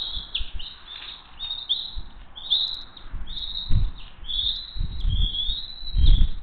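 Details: Hays bald eagle family flying in for dinner, June 22, 2023; high squealing chirps repeat across the clip while low thumps and rumbling bursts, like wind or movement at the mic, sound underneath.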